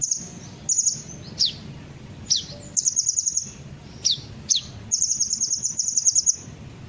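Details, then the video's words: Lure recording of a kolibri ninja sunbird meant to make birds answer: short bursts of very high ticking notes and separate steeply falling thin whistles, ending in a longer fast high-pitched trill. "pancingan suara burung kolibri ninja pasti langsung ikut bunyi"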